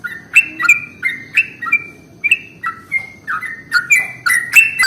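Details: Sooty-headed bulbul lure song (pancingan) meant to attract bulbuls: a steady run of short, bright, bubbly whistled phrases, each note sliding down then up, repeated about three times a second with no other sounds.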